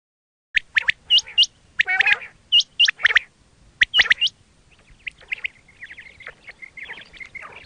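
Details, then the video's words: Quail calls used for hunting: sharp, hooked high notes in quick clusters over the first four seconds, then softer, scattered chirps trailing off. "quail 2024 Fresh sound Batair Ki awaz"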